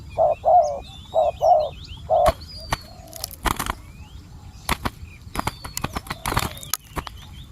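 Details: Spotted dove calling as a decoy to attract wild doves. A quick run of low, hollow coos opens the recording, then stops. Sharp knocks and clattering follow, along with faint chirps from other birds.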